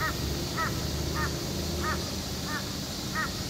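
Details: Crow calling with a series of short harsh caws, about six in three and a half seconds, evenly spaced, over a steady background hiss and low rumble.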